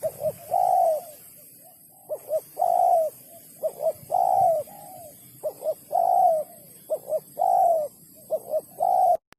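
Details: Spotted dove in the sấm chuông coo style, used for stimulating males, females and wild birds: a steady run of phrases, each with two or three quick hoots and a longer falling coo, about eight phrases in nine seconds, with faint background hiss.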